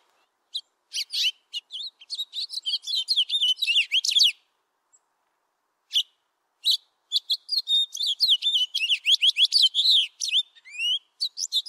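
A finch sings a rapid, twittering song of high chips and short buzzy trills in two long bursts, with a brief pause between them.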